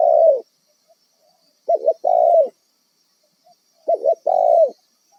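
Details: Spotted dove, a wild bird used as a decoy for trapping, giving loud cooing phrases: a long falling coo, then a quick double note followed by another drawn-out coo, repeated about every two seconds against a quiet background.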